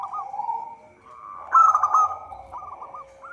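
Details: Zebra dove (local perkutut) song recorded as a lure for trapping; a low rolling coo, then one loud, buzzy trilled burst, followed by a few quick hooked notes, over a faint steady hum.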